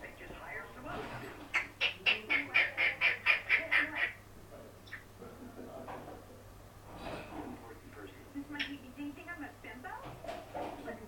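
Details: Indoor parrot making crazy sounds between shouted words like "Mom" and "hello": a fast burst of about a dozen clipped, evenly spaced high notes, followed by softer wavering voice-like calls.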